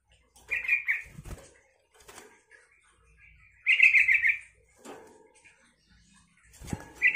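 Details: Yellow-vented bulbul singing so that other bulbuls answer: three short bubbly warbled phrases spaced a few seconds apart, mixed with wing flutters and soft knocking sounds.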